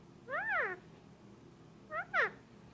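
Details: Pet male Indian ringneck parakeet, about eighteen months old, vocalising as it is petted indoors: two harsh arching squawks that rise and fall, separated by a short pause.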